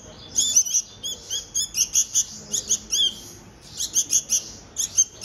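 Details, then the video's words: Hand-fed baby bulbuls beg with sharp, very high chirps in rapid clusters, a short pause, then another eager run of squeaky notes. "Hand Feeding Baby Birds - Bulbul Birds"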